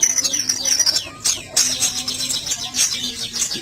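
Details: Black sunbird giving high, thin whistled notes that slide downward, mixed with quick twittering chatter, pausing briefly near the middle before resuming; a faint low steady hum runs underneath.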